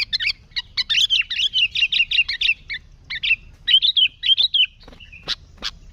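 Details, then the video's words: Sooty-headed bulbul singing hard, a lure recording with no other species: long rapid chattering series of bubbly notes, short breaks, warbled whistles, and two sharp high chips to finish. "Suara Burung Kutilang Gacor ASLI Tanpa isian, Ampuh untuk Pikat Kutilang"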